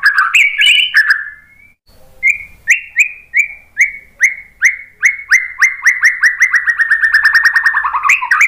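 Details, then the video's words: Song of a white-rumped shama, played to lure other birds into replying: a loud whistled opening, a pause, then a long series of clear down-slurred notes that speed up into a rapid run. "KICAUAN MURAI BATU memancing BUNYI jadi NYAUT GACOR NGEPLONG BONGKAR ISIAN ¦ PANCINGAN MURAI"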